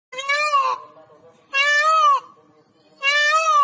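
A peacock gives three loud, nasal, wailing calls, each arching up and then falling, about one every one and a half seconds.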